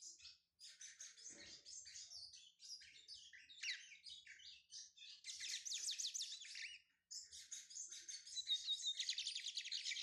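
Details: Brown-plumaged lined seedeater from Pernambuco, Brazil, starting to sing: a long, fast run of varied high twitters, rasping trills and sweeping buzzy notes, briefly pausing, then resuming with an intense, rapidly pulsing chatter.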